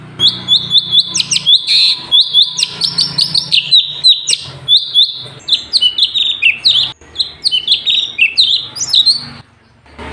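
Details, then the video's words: Sooty-headed bulbul (cucak cungkok), full gacor song used to tutor other songbirds: ten seconds of nearly nonstop chattering whistles, quick rising and falling notes strung in long bursts with brief gaps, faint low hum beneath. "CUCAK CUNGKOK SUPER GACOR - UNTUK MASTERAN BURUNG"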